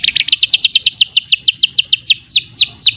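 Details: Singing canary delivers a fast trill of downward-sweeping whistled notes, about a dozen in quick succession, slowing toward the end.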